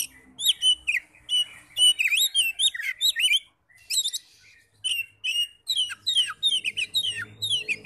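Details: Oriental magpie-robin song played to trigger singing in other magpie-robins; quick sequences of sweet slurred whistles and chattered notes with brief pauses, faint low hum toward the end.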